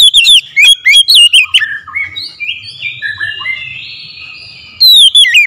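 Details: Loud calling of an Oriental magpie-robin: rapid, sharp whistled notes jump up and down in quick succession, then give way to softer drawn-out whistles, before a loud twisting phrase returns at the end.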